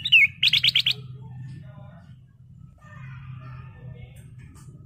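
A sooty-headed bulbul gives a bright whistled note and a quick run of five high chirps, then goes quiet over a low hum and faint distant notes.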